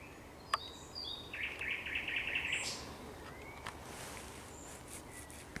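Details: At sunset on 30 May 2021 a thrush nightingale gives high whistles, then a fast grinding rattle of repeated notes lasting over a second, with faint distant calls afterward.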